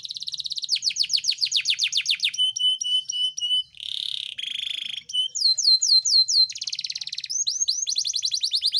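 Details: Yorkshire canary singing to set off lazy canaries and courtship: a long varied sequence of fast trills, descending sweeps, clipped paired whistles, buzzy rolls and repeated rising notes, clean and loud.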